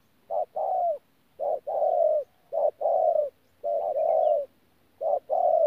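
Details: Wild-caught spotted dove from Tu Mơ Rông, recorded 14 January 2019, repeating a mellow two-part coo, a quick note followed by a longer falling one, five times against a faint low hum.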